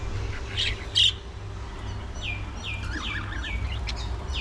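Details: Budgerigars at early morning feeding, repeating clear descending whistled calls roughly every half second, with a sharp squawk near the start and softer warbling beneath, over a low constant hum.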